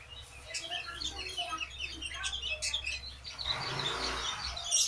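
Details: Sooty-headed bulbul song: a run of short, bubbly chirped notes in quick succession, then a burst of broadband rustling noise, with faint low hum and a little human voice in the background.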